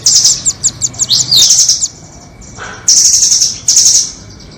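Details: Trapping lure recording of nuthatches, 'doraemon' versus red-billed types: a rapid series of high, clipped notes runs into a buzzy trill. After a short gap come two more dense, high, rattling trills, with faint hum beneath.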